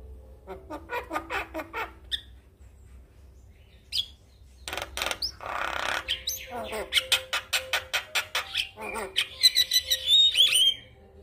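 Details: Male Javan myna singing for other mynas to learn: sparse chattering, a noisy harsh burst, then rapid rhythmic clicks rising into high whistled flourishes.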